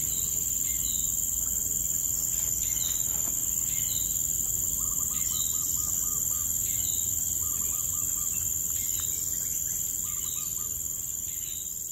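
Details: Ruddy kingfisher in Johor Bahru, Malaysia, June 2022, giving three short rapid pulsed trills, each about half a second and evenly spaced, over a loud steady high insect drone.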